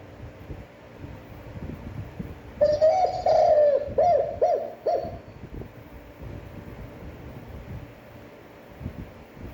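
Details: Long-breathed spotted dove coo in a standard voice: one extended, slightly wavering low note, then two brief clipped coos. Quiet background hum and faint rumbles continue after the phrase.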